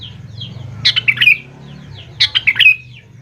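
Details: Sooty-headed bulbul singing, played to prompt young birds to respond; two lively phrases of fast, chirpy, slurred whistles about a second and a half apart over a low background hum.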